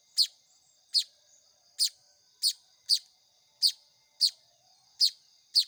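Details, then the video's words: Hand-fed manyar weaver nestlings beg with loud, piercing chirps repeated roughly every 0.6 to 0.8 seconds over a constant thin high background tone. "SUARA ANAKAN BURUNG MAYAR"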